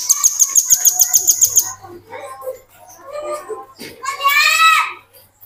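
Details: Velvet-fronted nuthatch song used to tutor other birds, opening with a rapid string of about twelve high, sharp chip notes, followed by murmuring, low voice-like sounds and a louder harsh squeal near the end.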